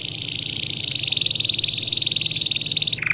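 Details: A domestic canary sings for young birds in training: a continuous high, rapid, fine trill held almost three seconds, dropping at the very end to a lower note; soft background hum.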